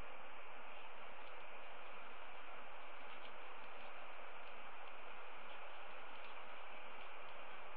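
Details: Steady broadband hiss like static or rustling fills the whole recording, with no animal calls standing out.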